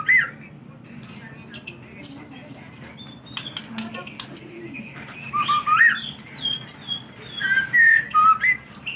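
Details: White-rumped shama song meant to coax other birds into singing: sparse clicks and chirps at first, then a run of rich whistled phrases, some rising, some falling, in the second half.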